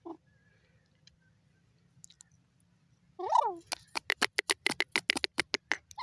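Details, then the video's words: Francolin (teetar) gives a nasal, wavering note, then a rapid series of about a dozen harsh, clicking pulses, four or five a second, over a faint low hum. "teetar bird top sound irani teeter awaz"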